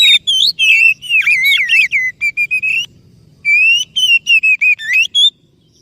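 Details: Lure song of an Oriental magpie-robin for stirring a stressed or non-singing bird: rapid run of rich warbled and whistled notes, then a pause and a second string of quick, evenly spaced bright phrases.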